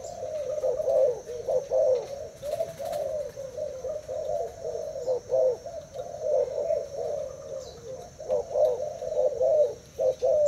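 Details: Caged spotted dove cooing against a decoy bird in a contest; a long run of low, rounded coos, about seventy a minute, rising and falling in loudness with brief pauses, a faint click midway.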